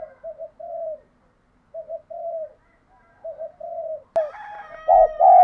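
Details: Spotted dove in urging coo for decoy training: soft, low, even coos in short groups, then a sudden loud thump and harsher calls with louder coos at the close.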